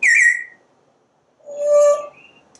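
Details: Pet parrot on a screened porch, watching squirrels and birds, gives a bright, slightly falling whistle, then after a pause a steady, pure mid-pitched whistled tone.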